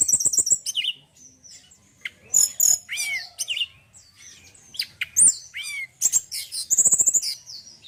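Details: Male forktail with a fine, much-praised song: varied high whistled notes, quick downslurred chirps and sharp clicking bursts in separate phrases, with short pauses between them.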